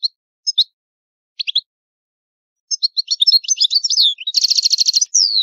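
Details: European goldfinch singing the old Italian song: scattered paired chirps at first, then a quickening twitter leading into a loud buzzy rattle and a final long descending whistle.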